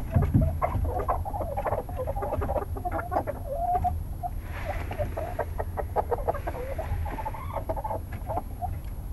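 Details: Flock of chickens going to bed in their coop at night, keeping up rapid, overlapping low clucks and short murmured notes, with a brief rustling burst midway and a steady low hum beneath.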